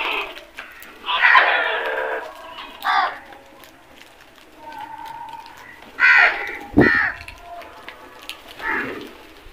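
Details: Crow caws, hoarse and drawn out, scattered through the recording among several other calls, with a sharp knock and faint background bird sounds.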